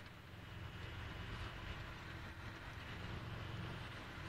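Steady low engine rumble of a vehicle, with no animal calls heard.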